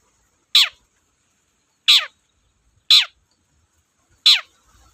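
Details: Long-tailed shrike (cendet) used as a lure to make cage birds sing: four loud, rasping notes that drop quickly in pitch, spaced about one to one and a half seconds apart against a quiet background.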